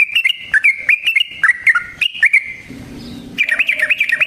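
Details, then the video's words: Yellow-vented bulbul, a song used as a lure for trapping and to provoke other bulbuls into calling. Rapid rolling bursts of bright, warbling notes dip and rise, pause briefly, then resume as a fast chattering run. "Suara Burung Trucukan GACOR ROPEL Panjang Ampuh Untuk PANCINGAN TRUCUK Bahan dan PIKAT TRUCUK"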